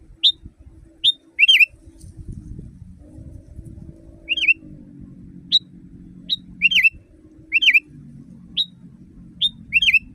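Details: Sooty-headed bulbul song used to train caged birds, loud and natural: brief sharp chirps alternating with quick warbled double notes, repeated roughly every second over a steady low hum and background noise.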